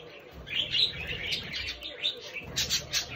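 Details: Young pet budgerigar chattering in quick, squeaky warbles and thin chirps, the bursts rising in loudness in pulses, with low room rumble underneath.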